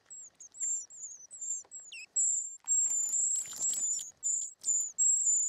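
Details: Short-toed treecreeper chicks being fed in the nest: soft high thin notes at first, then louder continuous high hissing, overlaid midway by a burst of scratchy rustling, likely from the adult's feeding visit.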